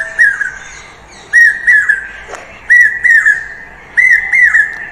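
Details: Common Hawk-Cuckoo, a bird found in villages across Bangladesh, played from a phone, gives shrill, whistled phrases of two or three notes heard as "chokh gelo", repeated about every one and a half seconds, over a faint hiss.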